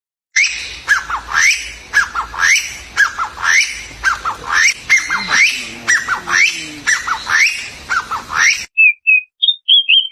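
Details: Birds chirping in a natural setting: a rapid series of sharp, squawky notes, each sliding downward, repeated about once a second for eight seconds. A brief pause follows, then a few short, clipped chirps.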